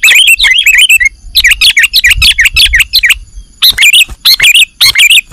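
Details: ['Sooty-headed bulbul calls used to lure birds for catching: slurred, bubbling chirps run in dense strings, then pause before briefer clusters, with low rumbling underneath.']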